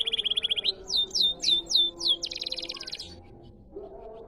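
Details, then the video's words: Canary singing in the riwikan style: a fast buzzy trill, then four clear downslurred whistles spaced evenly, then a second rapid rattling trill that fades out, over a faint low hum. "Riwikan Burung Kenari Paud!"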